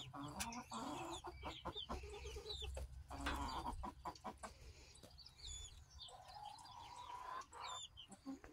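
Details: Barn chickens of mixed breeds, Black Australorp, Blue Laced Red Wyandotte, Bielefelder and Rhode Island Red, recorded July 10, 2023: soft overlapping clucks and short rising chirps over a low steady hum and scattered knocks.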